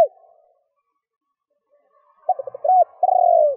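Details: Spotted dove provoking call: after a long quiet stretch, three quick soft coos and an arched note lead into a drawn-out, rolling, downward-sliding croo.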